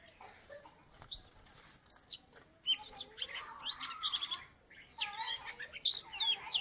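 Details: Oriental magpie-robin from Salatiga, once placed third in a contest, sings richly and continuously: rapid varied whistles, upslurs, trills and scratchy notes woven into long, energetic, mimic-like phrases.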